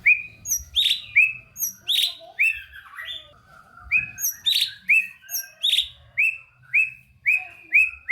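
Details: White-rumped shama song for stimulating shamas that are slow to sing: a steady stream of short whistled notes, roughly two per second, alternating with sharp high clicks and chips.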